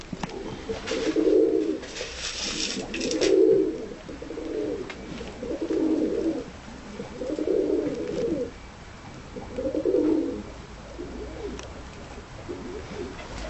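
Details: Tumbler pigeons in their loft, timid in appearance but easy to control; low rounded coos repeated about every two seconds, seven distinct phrases, with a brief rustle early on.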